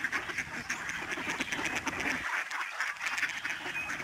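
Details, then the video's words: Snow geese in huge flocks flying and swirling down from the sky at a migratory bird sanctuary in the Fraser River estuary, Delta, British Columbia, Canada, on 24 March 2011. A dense, continuous wall of overlapping nasal honks from many birds fills the recording. "Snow geese flying and honking at George Reifel Migratory Bird Sanctuary, Delta, BC, Canada"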